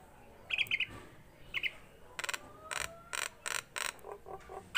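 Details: Tame Nias hill myna in full song: a few short paired chirps, then a rapid run of harsh, rasping broadband bursts, several per second, with a faint thin rising whistle threaded through.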